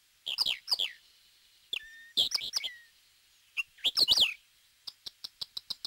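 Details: A Dartford Warbler, recorded in Corrèze, France, as a rare or passage bird, gives scratchy, chattering bursts of high notes in quick clusters, then a fast run of sharp, dry ticks about five per second.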